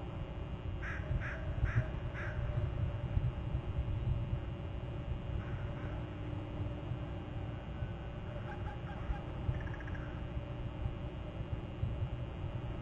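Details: Eagle at its nest territory on Hornby Island, recorded by a nest cam: a quick run of four harmonic, piping notes near the start, then fainter notes later, over steady low wind-like rumble.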